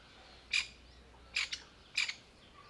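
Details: Alarmed grey francolin mother sitting camouflaged with her new-born chicks in dry summer leaves gives three short rasping squawks, the last two doubled, within under three seconds.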